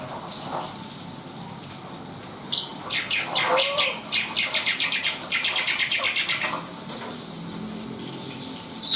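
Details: Black-winged myna singing actively: a burst of harsh notes, then a long, even run of about twenty rapid scratchy pulses before it falls quiet.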